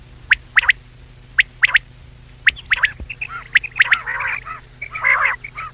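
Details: Common quail voice for hunting: brisk whistled pips in tight doublets and triplets at first, then denser harsher grating notes with scattered short whistles, steady low hum in the background.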